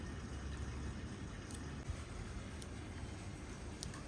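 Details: Only quiet indoor background hiss with a few faint clicks is heard, and no bird calls.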